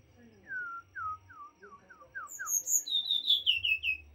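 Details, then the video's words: White-rumped shama in lively song: about seven clear, descending whistled notes in steady succession, then a rapid run of high, sweeping, slurred notes, over a faint low hum. "Ocehan burung morae mini gacor"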